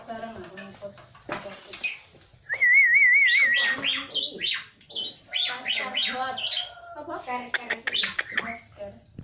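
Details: Javan pied starling in full song packed with varied phrases: a wavering trilled whistle, then jumbled squeaky, chattering and whistled notes in rapid succession, with some harsh broadband bursts.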